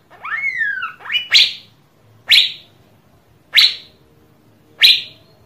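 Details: Asian fairy-bluebird, recorded to prompt song from other birds: opens with a long liquid whistle sliding downward, then four sharp descending chips spaced about a second apart.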